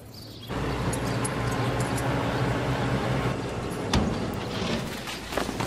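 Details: Steady broadband rumble of a passing vehicle with a sharp click near the middle, and no animal sound.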